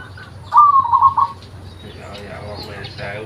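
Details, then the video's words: Local zebra dove with its original voice, kept as a lure sound: one trilled coo phrase lasting under a second, followed by soft mixed background noise. "PERKUTUT LOKAL || SUARA ASLI COCOK UNTUK PANCINGAN"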